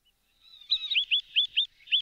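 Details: Wood sandpiper calling: a faint thin note, then a quick run of five to six sharp, high, clipped notes in close succession, each rising then dropping, with no other sounds.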